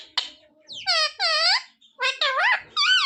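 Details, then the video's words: Pet parrot talking indoors, saying devotional phrases such as sita-ram and jay shree ram; short harmonic squawky syllables with rising and falling pitch, in a few bursts with brief pauses between. "Parrot talking sita-ram🚩parrot talking jay shree ram🚩सीता-राम 🚩जय श्री राम🚩mummy papa bolane wala"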